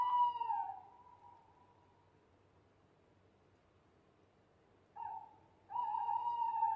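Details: Owl hooting at night: a strong steady mid-pitched hoot with a slight drop, a long quiet pause, then a short hoot and another long even hoot.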